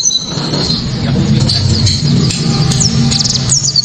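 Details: White-eye giving a loud, sharp burst of high, rapid chirps and twitters over a steady low rumble of background noise.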